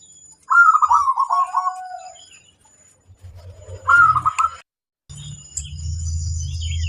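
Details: Local wild-type zebra dove singing a clear phrase of rapid, bubbling coos that ends in a drawn-out lower note, then a shorter trilled phrase, followed by low rumbling and a thin high whine.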